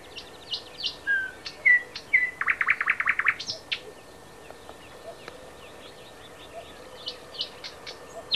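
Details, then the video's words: At Háj by Turčianske Teplice in Slovakia a thrush nightingale delivers a few pure whistled notes, then a rapid, rhythmic stuttering rattle of about ten strokes, followed by scattered quieter chirps and ticks from the song. "Luscinia luscinia - Slávik veľký"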